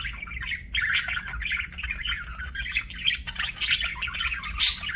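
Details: Continuous chirping warble from a budgerigar, dense buzzy and squeaky notes running together, ending in a sharp high burst.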